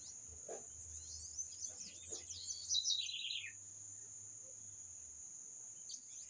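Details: Bird delivering a fast cascade of sharp chirps ending in a descending trill, then quiet, with a steady shrill drone and occasional low knocks.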